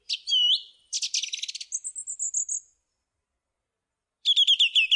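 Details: Song thrush song with a looping whistle, a rattling burst, a thin high trill falling gradually, silence, then a quick repeated chipping phrase.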